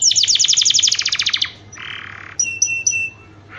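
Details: Breeding-condition canary singing to encourage mating: a fast descending rattle of sharp notes lasting over a second, a low buzzy note, then a few crisp high chips.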